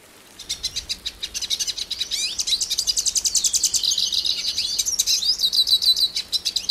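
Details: Hooded siskin from Brazil in a long, rapid twittering song of high buzzy trills and chirps, notes repeated several times a second, with a sustained bright warble in the middle, rising and falling.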